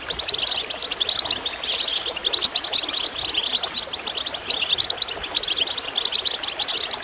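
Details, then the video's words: Goldfinch chirping, played to encourage other birds to sing: dense, rapid high twittering notes pour out almost continuously over a steady gurgling of water. "Water gurgling with goldfinch chirping to encourage birds to song"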